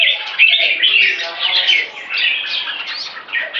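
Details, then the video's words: Open tail jambuls kept in cages and trained alongside each other, producing a loud, continuous jumble of rich warbling and rasping notes with quick slurred phrases overlapping without gaps. "Training Open Tail Jambuls With Open Tail Jambuls"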